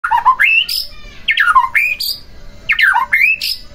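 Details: White-rumped shama phrases used to provoke another shama into singing: loud whistled notes that dip and then sweep upward, ending in sharp high squeaks, in three bursts.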